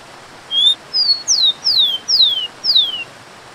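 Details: A tico-tico, or rufous-collared sparrow, gives one full song phrase: a soft upslurred opening whistle, a level high note, then four descending slurred whistles in even succession. A constant watery hiss fills the background throughout.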